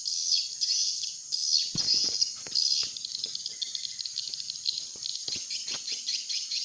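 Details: Swiftlet lure call used to attract flocks of swiftlets to a nesting house: a dense, continuous wash of high, rapid chirps and twitters, with scattered sharper clicks and no clear pauses.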